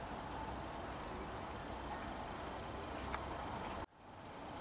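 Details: Waxwings arrived in Bryansk city, December 2023: a run of high, ringing, trilled calls, some long and drawn out, over constant city rumble before the sound cuts off sharply near the end.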